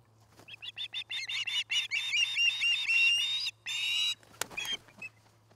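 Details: Osprey at a nest camera in Charlo, Montana, where a pair is building a nest near a Great Horned Owl family. A quick series of about a dozen sharp, high, piping chirps, then a longer harsh call over a low steady hum.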